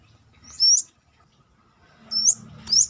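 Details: Brown-throated sunbird, kolibri kelapa, outside its cage giving three high, sharply upslurred notes, the last two close together, over a faint low hum.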